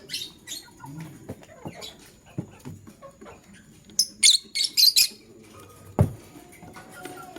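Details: Male lovebird choosing a partner, giving a rapid cluster of sharp, high-pitched chirps after quieter scratchy sounds, then a thud and faint rustling.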